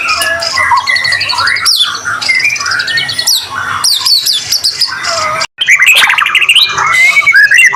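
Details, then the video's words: White-rumped shama in full song, offered as a lure to set other shamas singing: a rich, fast medley of clear whistles, rising and falling slurs and rapid buzzy trills, with a brief silent break near the end before bright trilled phrases resume. "Murai batu gacor AMPUH buat PANCINGAN murai batu agar bunyi LANGSUNG NGEPLONG"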